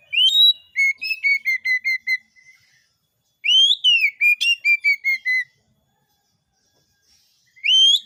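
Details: Oriental magpie-robin whistling song meant to provoke other magpie-robins: a sharp rising whistle leads into quick, evenly paced falling notes. The pattern is repeated after a pause and begins a third time.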